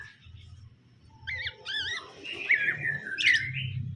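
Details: Caged male and female greater green leafbirds being paired so they get along quickly; clear wavering whistled notes and a long slurred whistle over a low steady hum.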